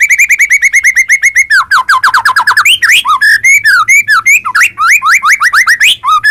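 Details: Continuous white-rumped shama song used to prompt other shamas to answer: a steady stream of rapid chip notes leading into a varied, tumbling flow of swooping, slurred whistles rising and falling in pitch.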